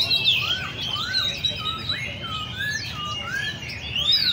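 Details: Caged Oriental magpie-robins at Le Thi Rieng park's bird cafe. Smooth, rising whistles repeat roughly every half second under higher overlapping notes, with a few sharp upward sweeps at the start and end.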